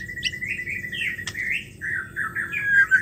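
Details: Female white-rumped shama voice for getting quiet males to sing again. An unbroken whistled phrase that wavers and swells, with a brief higher flick near the start and a single click midway.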